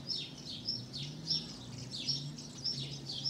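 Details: Tree pipit nesting on a terrace during summer 2016 and raising four young; thin high notes sliding steeply downward, repeated about every half second, over a low background hum.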